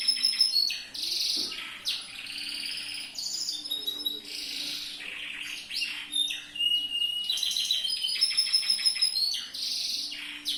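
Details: Yellow loper canary singing a training song: fast varied phrases of high rolling trills, buzzy rattles and clear whistled notes, constantly changing, with a faint low tone in the background.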